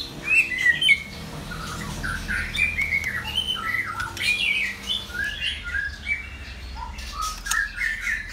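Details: An older captive male white-rumped shama, kept to preserve wild-type song, sings a rich, varied run of clear whistles and short warbled phrases, mostly high and nearly continuous, over a faint steady hum.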